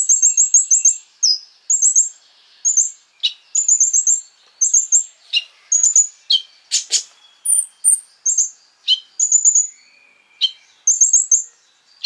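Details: Sunbird (konin) singing nonstop in a provoking lure recording: repeated high rattling trills mixed with sharp downslurred notes and occasional thin whistles, steady for twelve seconds.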